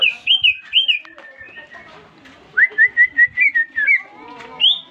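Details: Caged greater green leafbird, newly purchased, singing in answer to whistling: high warbled phrases, a pause with faint chatter, then a rapid series of crisp slurred whistles and a final high rising note.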